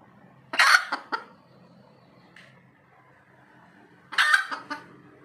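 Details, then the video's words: Red junglefowl calling after laying an egg: two loud, coarse squawks, each followed by a couple of quick clucks, separated by a quiet gap of about three seconds. "AYAM HUTAN SELEPAS BERTELUR"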